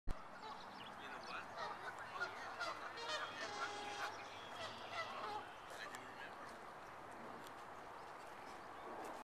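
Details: A flock of noisy geese at Crabtree Nature Center, Palatine, Illinois, on 10 May 2009, honking continuously, many nasal calls overlapping in a steady chorus with no pauses, over faint background hiss.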